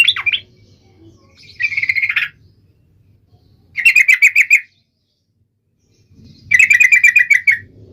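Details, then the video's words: Yellow-vented bulbul (trucuk) in lively, sharp-toned singing, used to spur other trucuk birds to sing: a dropping chirp, a brief buzzy phrase, then two bursts of about eight rapid bright chirps separated by pauses, over a faint low hum. "trucukan gacor FULL EMOSI TAJAM ini AMPUH MENJADIKAN agar supaya burung trucuk gacor seketika"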